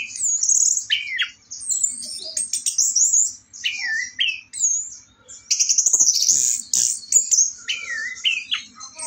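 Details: An orange-headed thrush sings in the morning, 4 August, a loud, fast run of varied whistled phrases with rising and falling slurs and rapid twittering, almost without pause.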